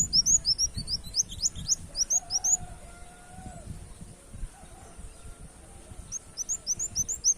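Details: Brown-throated sunbird giving canary-like gacor song for luring birds: bursts of fast, piercing upslurred notes open and close the passage, separated by a quieter gap holding a soft low whistle and rumbling background.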